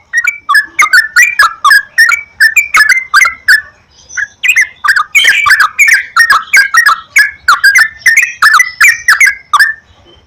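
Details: Sooty-headed bulbul lure song meant to spur singing. Continuous bubbly, chortling notes tumble in quick succession, dipping and rising, with a brief break before a fuller, busier phrase.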